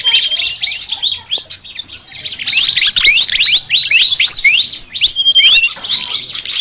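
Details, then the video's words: Sikatan, a flycatcher, chattering its distinctive song: rapid high twittering notes interleaved with steep falling whistles and brief clear tones, delivered in a busy unbroken flow. "BURUNG SIKATAN NGOCEH TER UNIKK"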